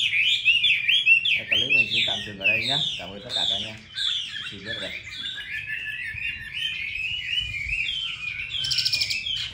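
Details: Chinese hwamei, a caged bird in Hanoi, Vietnam, singing a rich, fast run of varied whistled and slurred phrases, loud at first and then steadier, with a brief high buzzy note near the end.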